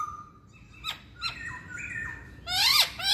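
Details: Chinese hwamei singing a varied run of clear whistled notes, some held level and others sliding, followed by a louder, harsher burst of rising and falling phrases.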